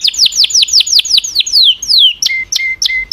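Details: Canaries singing a series of sharp descending whistled sweeps, each about a third of a second apart, that lengthen and slur lower, followed by clipped chip notes joined to short steady whistles.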